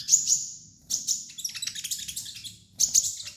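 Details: Kolibri ninja sunbird master song for training: a thin high whistle, then a fast jumble of sharp, scratchy twitters in the middle, ending with another high whistled phrase, over a soft low hum.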